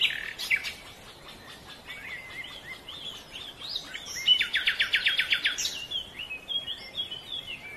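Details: Silver-breasted broadbill giving quick, chattering notes that build into a fast even rattle of sharp pulses, then scattered softer notes, against constant hissing background noise.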